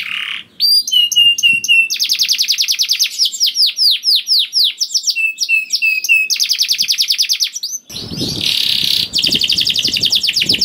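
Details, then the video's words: Canary lure song with long rolling trills to make other canaries sing: fast rattling trills alternate with high curling whistles, then a harsh, noisy buzzing passage with low thumps near the end. "PANCINGAN KENARI GACOR DOR NGEREK PANJANG INI AMPUH BIKIN KENARI LAIN BUNYI"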